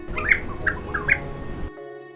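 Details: Critically endangered Regent Honeyeater singing the Blue Mountains dialect, New South Wales, Australia: three or four bright, liquid, bell-like notes, about one every half second, over steady background music.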